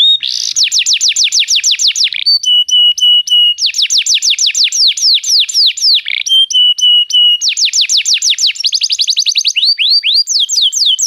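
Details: {'caption': 'Canary singing to stimulate another canary: long phrases of fast descending whistled sweeps alternating with steady trilled tones rich in overtones, continuous and loud for about eleven seconds.'}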